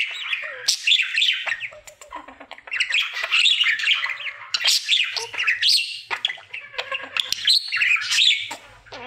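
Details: Pet budgerigar, male, singing through his daily routine: harsh squawky notes and fast chattering warbles with occasional clear whistled chirps, in uneven bursts with short pauses.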